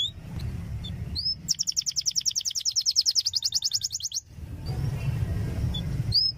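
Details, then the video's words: Canary tutor song played to stimulate young canaries to learn and answer: a fast, even trill of bright repeated notes lasting nearly three seconds, framed by short upswept chirps over a steady low rumble. "suara masteran kenari paud belajar bunyi langsung respon"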